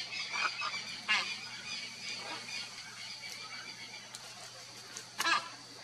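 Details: Red-and-green macaw pair at their nest, breeding: harsh, raspy squawks in short bursts near the start and around one second, then a louder rasping squawk about five seconds in, over a steady low hum.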